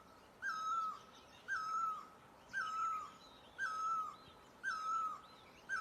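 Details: A great barbet from Asia repeats a far-carrying hooted note roughly every second, six times, each starting with a brief upslur and sliding down at the close; faint high-pitched bird twitters in the background.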